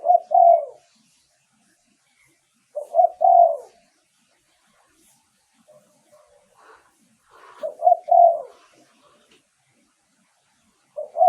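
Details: Spotted dove decoy cooing for luring wild doves: widely spaced two-part coos, short then drawn out, with soft indistinct noises between phrases.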